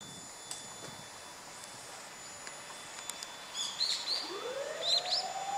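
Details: A common kingfisher recorded on 30 December 2013 gives two bursts of shrill, piercing whistles, high and thin. A siren rises slowly in the distance.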